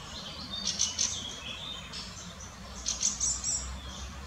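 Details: In the Munich Botanical Garden, an adult Fieldfare with its juvenile utters two short bursts of scratchy, high chattering notes about two seconds apart over faint low background noise.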